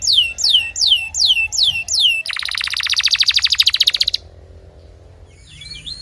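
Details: Canary singing a training song for other canaries: loud downslurred whistled notes repeated several times, then a rapid buzzy rattling trill that builds in loudness for about two seconds and stops abruptly, followed by quiet background hum.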